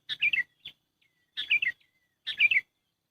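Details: Trapping lure call of a sooty-headed bulbul, close and clear: three cheerful gurgled phrases, each of several descending slurred notes, spaced about a second apart.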